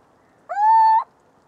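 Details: Little owl giving one drawn-out, upward-sliding mewing note, held steady for about half a second and cut off sharply, over faint background hiss.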